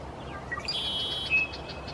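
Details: Red-winged blackbird male in the Pacific Northwest singing from a high perch to get noticed: a few short sharp notes, then a buzzy, trilled phrase that rises briefly and fades. Faint, with steady background hiss.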